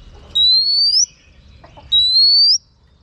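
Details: Female oriental magpie-robin giving whistles to excite a male: two drawn-out, clean rising whistles roughly a second and a half apart, with faint soft clicks between them.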